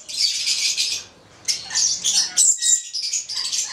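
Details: Pair of Stella's lorikeets, subspecies goliathina, a red male and a black female: bursts of shrill, high screechy chattering notes, then a short pause, then a run of sharp squeaky chirps and thin whistled notes.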